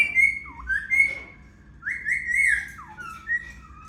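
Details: Pet Indian ringneck parrot indoors, a bird said to mimic words, giving clear whistled phrases: high steady notes broken by short downward swoops, in several bursts over a low room hum.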